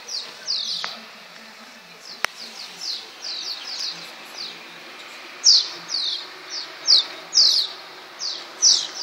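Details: Swallows chirping in flight over the Tudor district of Csíkszereda: short, high, downward-sliding twitters in loose bursts, a sparse run early and a denser, louder series later, with faint low background hum and one sharp click.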